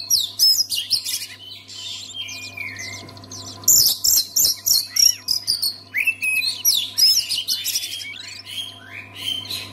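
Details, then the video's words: Singing Oriental magpie-robin, played so other magpie-robins will sing: rich sequence of high whistles, swooping slurs and fast chattering notes in steady bursts, accompanied by a low continuous hum. "SEKALI DENGAR KICAUAN KACER INI PASTI LANGSUNG GACOR"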